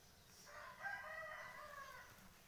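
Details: White decoy rooster kept for fighting-cock contests, recorded 25/2/20, gives a single drawn-out crow of about one and a half seconds: a rich, harmonic call that swells, holds steady, then tails off, over a quiet background.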